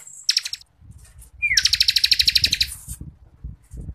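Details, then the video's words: Ciblek kristal, the Bar-winged Prinia, in vigorous 'ngebren' song used as tutoring for contest birds: a quick slurred whistle leads into a dense run of high, rapidly pulsed notes, over a low rumbling background. "CIBLEK KRISTAL GACORRRR FULL NGEBREN RAPAT"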